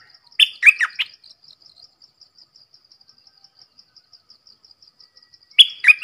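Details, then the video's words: Red-whiskered bulbul giving two short, cheerful phrases of three quick warbled notes each, separated by about five seconds of quiet. A rhythmic high ticking of insects continues in the background. "เสียงนกดอกแตงEp.105 Birds sounds"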